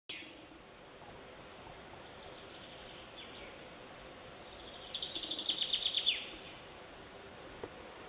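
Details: Wild bird singing in Romania: a single high, rapid trill of repeated notes that slides gently downward over about a second and a half, set against a steady background hiss with faint scattered chirps.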